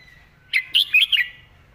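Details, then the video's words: Red-whiskered bulbul singing a phrase in the 'master song' style, praised for its fine phrasing: one quick burst of four loud, bright, warbled notes lasting under a second, followed by silence. "นกกรงหัวจุก"เพลงแม่บท เดินสำนวนสวย"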